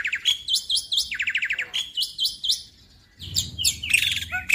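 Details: Young black-winged starling from Indonesia, caged, in vigorous song: quick rising chirps and rapid buzzy trills in rhythmic bursts, a short pause, then mixed harsh and clear notes over a low background rumble.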